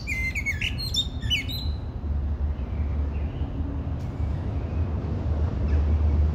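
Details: Common blackbird song: one mellow warbled phrase at the start with rising and falling whistles and a thin high twittering tail, then only a constant low rumble.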